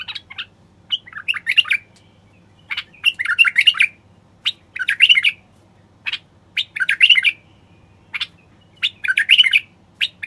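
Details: Song of a male common bulbul meant to coax silent wild bulbuls into song and courtship. Short, rich, fluty phrases of rising and falling whistles repeat about every second or two with brief gaps.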